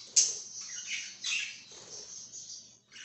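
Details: Budgie chirps in a short burst: a sharp high note, then warbled chattering with two louder swells over about three seconds.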